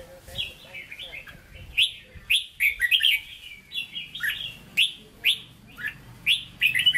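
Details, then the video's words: Red-whiskered bulbul with a standard Hue-style voice singing a lively run of rich, warbling whistled phrases, each burst slurring up and down, repeated every second or so, over a faint low hum. "Chào Mào Chuẩn Giọng Huế Hót Ché"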